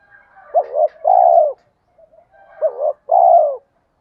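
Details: Calls of male and female spotted doves meant to prompt training birds to coo. Two phrases, each a quick wavering note and then a full, gently falling coo, with low faint murmurs before and between them.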